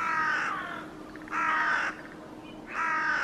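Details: Hooded Crow (Corvus corone cornix) in a tree in Helsinki, Finland, February 2022, after escorting a Northern Hawk Owl in flight alongside Eurasian Magpies, the birds locked in a staring contest; three harsh, drawn-out caws roughly every 1.3 seconds.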